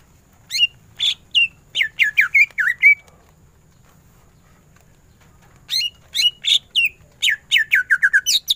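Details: Greater green leafbird singing ngentrok for masteran, two phrases of sharp whistled chirps with downward slurs, each lasting a few seconds, separated by a quiet gap.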